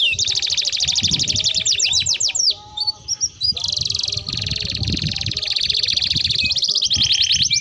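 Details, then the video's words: Energetic caged canary pouring out a long rolling song meant as a lure and as a tutor for young canaries: dense rapid trills and buzzy rattles, a brief pause midway, then another sustained fast trill, low rumble beneath. "Kenari Gacor Ngerol Panjang Untuk Pancingan || Cocok Untuk Masteran Kenari Paud"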